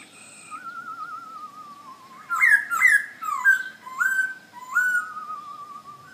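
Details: Black-throated laughingthrush, a cage bird in Hanoi, Vietnam, giving long wavering whistles that slide gently downward, then a series of loud, ringing, rising whistled phrases about every half second, over a steady background hum.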